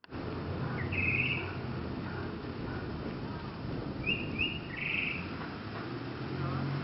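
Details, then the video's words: A tropical mockingbird sings in an araguaney tree in Caracas: a few short, bright, chirping phrases, one early and a quick cluster near the end, over steady low traffic rumble and faint voices. "Paraulata llanera cantando"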